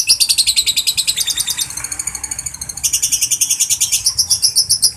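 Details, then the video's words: Kept lovebird calling its companions, meant to prompt other lovebirds to chatter at length: continuous shrill, raspy chirps repeated quickly and evenly, loud and harsh, high-pitched throughout. "suara lovebird memangil kawan"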